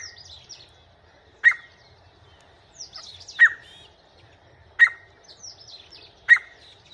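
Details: Grey francolin heard in a house giving strong, abrupt call notes about every one and a half seconds, four in total, while small birds chirp softly at higher pitch in the background.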